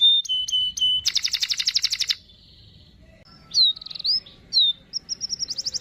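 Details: Canary song used to train a young canary: three clear pipes, a dense buzzy rattle, a pause, then looping whistles and a quick trill of high notes.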